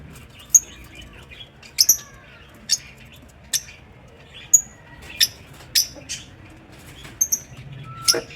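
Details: Pet lovebirds in an aviary: sharp, high, clipped chirps scattered irregularly, about a dozen across the stretch, some with brief downslurred whistles between them, over a faint low hum.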